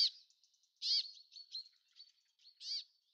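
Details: Brambling (Fringilla montifringilla) in a garden in April 2013, giving harsh, nasal, rasping notes about every two seconds, with softer thin chips and twitters between them.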